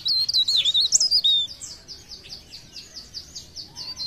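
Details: Leaf warbler, Pare Pare, singing: a loud, sweeping wavering whistle in the first second and a half, followed by softer, evenly repeated high chirps about four per second.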